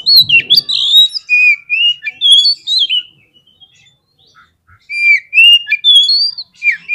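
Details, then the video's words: Fighter-type Oriental magpie-robin (kacer) singing to provoke rival birds: rapid run of clear, bending whistles and sharp chips, a brief quiet gap midway, then another energetic burst of varied phrases. "SEKALI PLAY KACER KALIAN PASTI LANGSUNG NGOBRA !!! KEPANCING EMOSINYA FULL FIGHTER"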